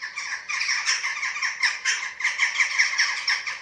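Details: Eurasian eagle-owl nest webcam in Germany, 27 March 2024, during feeding of the chicks. Continuous run of loud, rasping, squealing notes, closely repeated without pause.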